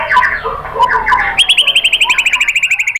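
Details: White-rumped shama song played to provoke other shamas into answering: a jumble of mid-pitched notes, then a fast rattling trill of repeated high notes over about one and a half seconds.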